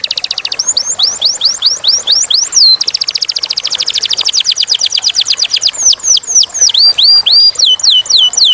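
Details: Clear-voiced canary singing a varied song: quick downward-swept whistles, then a long rapid rolling trill, then slower dropping and rising whistled notes, all bright and high-pitched.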